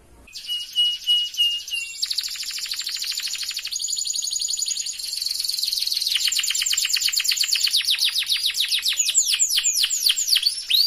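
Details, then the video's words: Canary lure song for prompting non-singing canaries to sing: a loud, continuous, fast rolling trill with buzzy, high sweeping notes that shift pattern several times across about eleven seconds. "PANCINGAN BIKIN KENARI APAPUN YANG MACET BUNYI LANGSUNG BUNYI"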